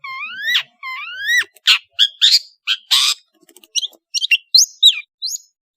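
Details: Long-tailed shrike from Madura in varied song. Two rising ringing whistles are followed by harsh scratchy bursts and a series of short high downslurred chips.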